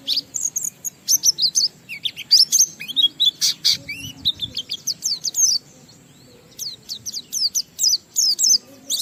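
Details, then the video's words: Oriental white-eye (pleci) in energetic gacor 'ngalas' song with 'isian' filler phrases, played to spur other white-eyes into singing; rapid bursts of very high chirps and sweeping whistles, a pause near six seconds, then more quick chirping. "Burung Pleci Gacor NGALAS Isian sambung Riwikan Materi Ampuh Merangsang Semua Pleci langsung Gacor"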